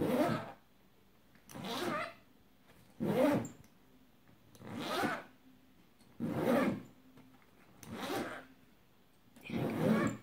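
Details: Indoor pet bird copying a zipper being pulled, giving six broad, scratchy rasping bursts spaced about one and a half seconds apart, each swelling and fading, over a faint steady hum in a small room.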